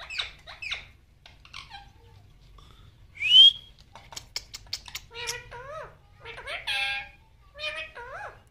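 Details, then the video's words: A female rose-ringed (Indian ringneck) parakeet talks to a mirror in a quiet room, chattering in quick, squeaky, speech-like phrases with bending, rising tones and a sharp whistle midway. "Ringneck Talking Female Talking With Mirror"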